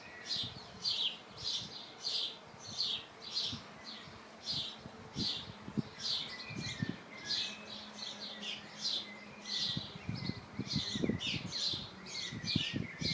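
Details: Common swifts at a nest box, recorded 17 June 2025: sharp high rasping notes repeated steadily about twice a second for over ten seconds, with low knocks and rumbling beneath.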